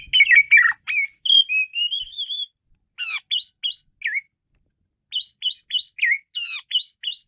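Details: Asian pied starling in animated song mixing chattering notes, a long wavering whistle and crisp clicks, then evenly spaced short upslurred whistles, roughly two or three per second, with a downslurred note between them.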